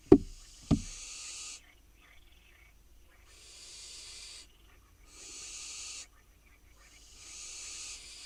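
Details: Two sharp knocks open the sequence, then four drawn-out hissing screeches from wild barn owl fledglings perched on a nest box in Israel, begging as they wait to be fed.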